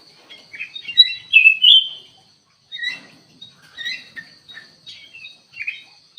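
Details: Active singing from a black-capped bulbul kept in an aviary: a bright burst of warbled whistles, then spaced bubbly phrases and chirps repeated about every second, with a steady high whine behind.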